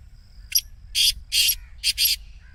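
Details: Black Francolin 'masti' call for stirring a caged francolin into calling: a brief sharp note, then four broad, scratchy, grating bursts of similar length, the final two close together.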